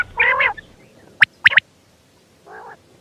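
A quail gives a nasal, buzzy note, then three sharp, clipped whip-like notes in quick succession, and a softer nasal note to finish; the background is quiet.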